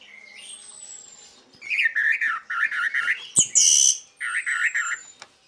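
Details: Orange-headed thrush 'teler' song meant to get silent orange-headed thrushes singing: warbling, buzzy phrases of mid-high notes in two bursts, a loud harsh note between them, and a thin falling whistle.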